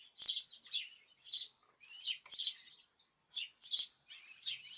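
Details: A cage of birds in group song, dated 14 March 2026: high, sharp chirps roughly twice a second, each a short squeaky burst, with soft twittering between them.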